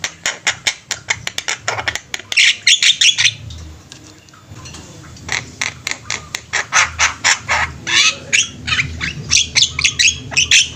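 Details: Flock of Javan mynas in active, lively song: a dense run of harsh, squawking, broadband notes fired in quick irregular bursts, with a short lull around four seconds before the chattering resumes.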